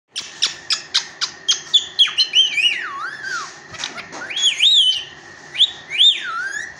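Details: Pet Indian ringneck parakeet, a talking parrot, gives a rapid series of short sharp chirps, then swooping whistled notes that rise and fall, with a few harsher squawks mixed in.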